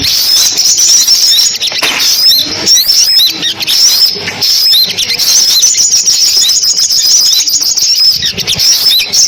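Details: Recording of sunbirds used as a trapping lure: an unbroken chorus of very high, fine chirping, with short twittered phrases and scattered sharp chips layered together.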